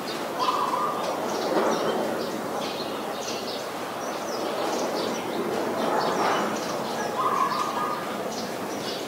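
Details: Adult zebra dove, Ubon Ratchathani, Thailand, 24 February 2022, with two short stuttering trilled coos several seconds apart amid steady outdoor noise and scattered high bird chirps.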